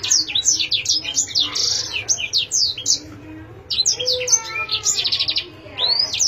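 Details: Canary kept as a cage bird delivering fast, high twittering song phrases with buzzy rolled trills and a rising sweep near the end, after a short pause midway; low steady background hum.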